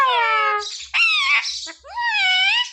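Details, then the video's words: Pet parrot talking indoors, producing speech-like phrases with strong harmonic, voice-like tones that rise and fall, broken by a short gap, in a small room. "Parrot talking mummy mithu ko roti do"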